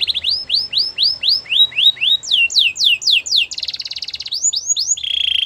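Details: Canary song built of rhythmic downward-curving whistled notes, about four per second, shifting pitch between phrases, then a fast buzzy trill, a few more sweeps and a closing low roll.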